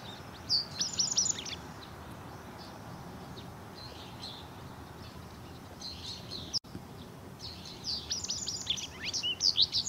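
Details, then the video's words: Japanese wagtail, a resident breeding bird, feeding recently fledged young; thin high chirps and short squeaky notes come in bursts near the start and again toward the end, with a quiet gap between and steady low background noise. "「セグロセキレイ」 巣立ち雛に給餌する “Japanese Wagtail” feeds recently fledged young"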